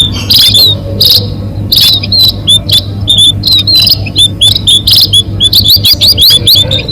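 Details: Munia bird-catching lure: high thin whistles delivered in quick groups, spaced at first and then tumbling faster toward the end, with occasional harsh noisy bursts over a steady low hum.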